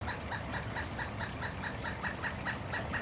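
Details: A Pileated Woodpecker about to visit a bird feeder gives a long, steady series of loud, nasal wuk notes, about four or five a second, over a low rumble of wind or distant traffic.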